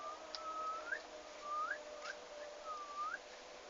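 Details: Turkeys newly arrived at a farm on 11 August 2015; three drawn-out level whistles, each ending in a quick upward slur, roughly one per second.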